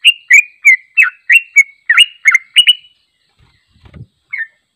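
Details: Sooty-headed bulbul giving a long unedited trilling song for training: a fast series of about a dozen slurred whistled notes, then a soft thump and one last note after a pause.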